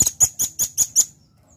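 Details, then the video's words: A velvet-fronted nuthatch gives six hard, very high chipping notes in a quick, even series of about five per second, then stops; no other sounds. "Suara Rambatan Paruh Merah Gacor"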